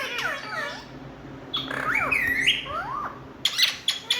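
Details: Indian ringneck parakeet giving loud calls: descending chirps, a pause, then a raspy rising and falling squawk, followed by short sharp bursts near the end.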